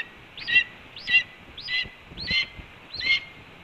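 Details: Red-tailed hawk announcing an incoming food delivery at its Cornell nest, 7 April 2013, 8:39 AM: five loud, sharp, curling whistled notes evenly spaced about 0.6 seconds apart, little background sound.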